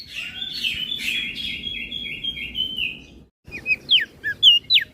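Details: Flores crested white-eye, 'gacor isian' style master song for training kecial birds: three seconds of continuous buzzy warbling, a sudden break, then separate sharp rising and falling whistles.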